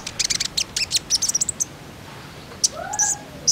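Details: Common iora calling as a lure to coax other ioras into song: a fast run of bright, high chirps for about a second and a half, then a faint rising whistle and a few more sharp ticks.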